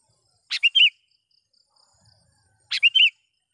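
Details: Calling sooty-headed bulbul used to draw in wild birds of its kind: a sharp chip and then quick, rolling whistled notes, repeated once after about two seconds, with a thin high tone faint in the background.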